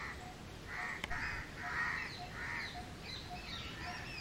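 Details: Loud cawing of house crows: a run of hoarse, grating caws in quick succession, overlapped by thin, high twittering from smaller birds and a single sharp click.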